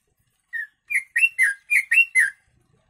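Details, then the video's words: Yellow-vented bulbul song mixed with sooty-headed bulbul (kutilang) phrases, recorded as tutor material for training birds: a single short whistled note, a pause, then five to six quick liquid, slurred chirps in a tight burst. "Trucuk Isian Kutilang"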